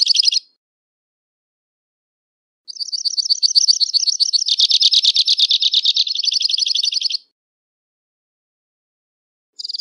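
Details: Two-barred crossbill song: a short buzzy burst, then a long rapid trill of about four and a half seconds that thickens into a rich rattle and ends in fine buzzing, followed by silence and another brief burst.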